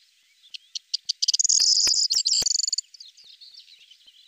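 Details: Corn bunting song: a few dry ticks that speed up into a loud, glassy, jangling rattle lasting about a second and a half, then fading away, with faint background birdsong.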